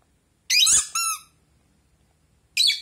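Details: Indoor pet Rosy-faced lovebird answering a squeaky toy duck. A harsh, gravelly chirp runs straight into a tonal toy squeak, and a second rasping chirp follows.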